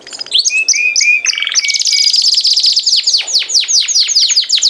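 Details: A canary gives short whistled slurs, then breaks into a dense, loud buzzy trill that turns into rapid descending sweeping notes repeated several times a second.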